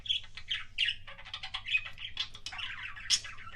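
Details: Pet budgerigars making what is called kissing sounds: a rapid run of short chirps, clicks and warbled notes, uneven in rhythm, with brief squeaky peaks.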